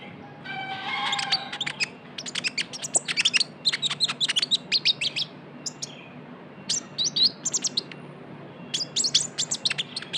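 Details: Young Javan white-eye in active lure calling: a short buzzy phrase, then repeated clusters of sharp high chirps in rhythmic bursts separated by brief silences.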